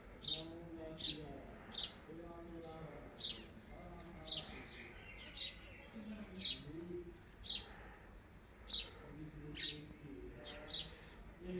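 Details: Blue Indian ringneck parakeet, a pet parrot, giving short sharp high chirps repeated roughly every second, with a low murmur of human voices underneath.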